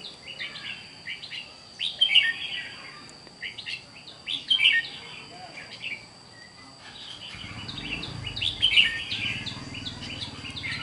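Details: Red-whiskered bulbul, a raw unbathed bird known as chào mào mộc in Vietnam, singing short bubbly, warbled phrases in bursts about every two to three seconds over a steady high electronic tone and a low rumble late on.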